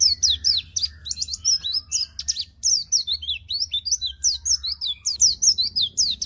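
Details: Vigorous white-eye song intended as a master and lure track for caged birds that will not sing: unbroken, busy, high-pitched chirps and slurred whistles delivered in quick succession.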